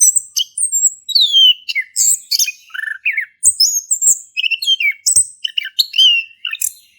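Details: Singing male orange-headed thrush, played to coax a quiet thrush into song; a fast jumble of high, descending whistled slurs mixed with harsh chattering notes, in a continuous flowing stream.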